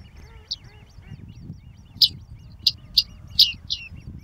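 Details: Great crested grebe family with young at Tovačov fishponds, Czech Republic, 2013–2014: sharp, very high ticking peeps spaced irregularly, half a second to a second apart, over a steady low background rumble.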